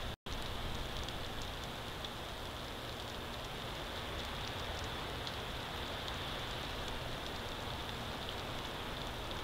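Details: Steady rain patters on surfaces in a continuous hiss, with no animal voice heard.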